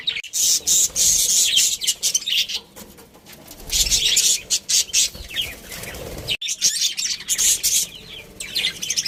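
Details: A budgerigar breeding pair and family chirping: fast high chatter and squeaky twitters in dense bursts, a quieter stretch, then more chatter after a sharp click.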